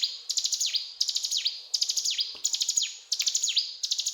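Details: Rapid, high-pitched chirp bursts from a mountain tailorbird, each phrase falling in a quick swoop, repeated steadily with a single soft thud in the background.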